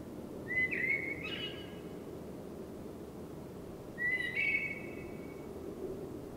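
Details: Common blackbird singing during a spring night, two short fluty phrases about three seconds apart, each a whistled note followed by a scratchy twittering ending, with low background rumble between.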